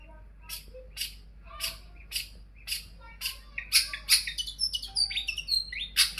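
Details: Long-tailed shrike song used as a lure to get other birds singing: harsh, rasping strokes repeated about once a second, then a quicker jumble of high, varied whistles and chirps.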